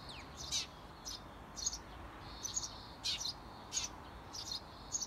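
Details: Adult Eurasian tree sparrows near a nest box encourage seventeen-day-old chicks to leave the nest; short high chirps spaced unevenly, roughly seven in five seconds, with a faint thin whine beneath.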